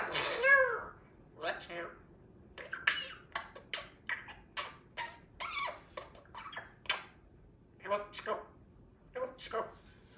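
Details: A young female pet African grey parrot practising her words in the afternoon mumbles speech-like syllables in quick clusters, mixing squeaky whistled notes with short pauses, while a yellow-naped Amazon chatters in the background.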